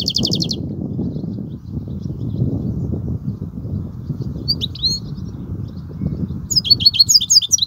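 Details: European goldfinch in kobia song style, with a brief buzzy trill at the start, a few scattered high notes midway, then a rapid chain of bright, tinkling twitters near the end, over low background rumbling.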